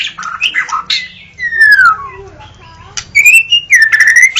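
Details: White-rumped shama singing: varied clear whistles, some gliding down and others rising, with a long falling slurred note midway and bright high trills near the end, separated by brief quiet pauses.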